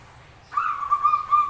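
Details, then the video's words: Zebra dove giving a strange, unusual call: a sustained whistled coo starting abruptly and holding a steady pitch, with slight pulsing swells in loudness over about one second, against a quiet background. "Suara Aneh Perkutut"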